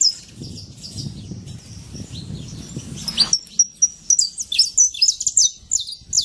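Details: Wild saffron finch singing free in nature: about three seconds of low rumbling background noise give way to a lively run of high, sharp chirps and short clipped trills, delivered in quick bursts until the end.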